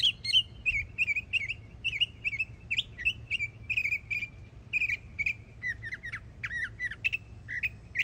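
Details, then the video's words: Florida yearling Northern mockingbird pouring out repeated whistled phrases, each syllable given several times in fast succession before changing to rising and falling slurred notes. "Yearling Florida Mockingbird Goes Hard 🎶💯 Beautiful Songs"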